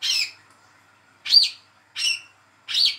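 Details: Young olive-backed sunbird, hand-reared, giving its first calls, used to prompt a silent bird to start singing: four sharp, high chirps with downward-bending strokes, spaced irregularly about a second apart, clean quiet background.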